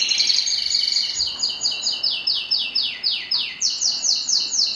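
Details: A yellow domestic canary (Belgian canary) sings fast, high, bright trills that shift in pitch from phrase to phrase.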